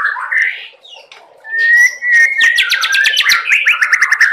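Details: Young spotted white-rumped shama delivering song with imitated cerucuk filler phrases; clear rising whistles lead into a long slurred note, then a fast run of repeated sharp notes and rippling trills.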